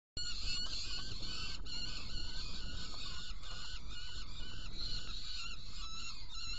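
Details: Saker falcon in Hungary, 16 June 2018 at 18:57, during prey delivery and feeding of two young: a nearly unbroken run of harsh, nasal, harmonic calls over a steady low rumble of background noise.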